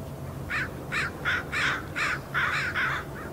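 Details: Crows chattering on a marsh at Richmond, British Columbia, Canada, 16 May 2018, near a heron: a rapid series of about eight harsh, nasal caws, roughly one every third of a second, over low background hum.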